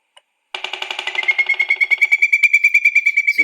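A Pileated Woodpecker hammers out a rapid, steady series of loud knocks while drilling for insects.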